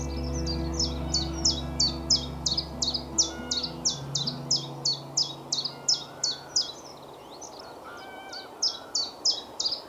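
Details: A very vocal, loud common chiffchaff in dense trees at Lunt Meadows Nature Reserve on a sunny spring morning in late March, about 10°C, repeats its two-note chiff-chaff song at about three clipped notes per second; low hum and faint other birds underneath.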